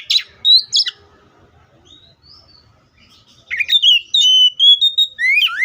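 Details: Oriental magpie-robin, Copsychus saularis, singing: bright whistled notes and slurred phrases, loud bursts at the start and again after a quiet gap, with rising and falling whistles near the end.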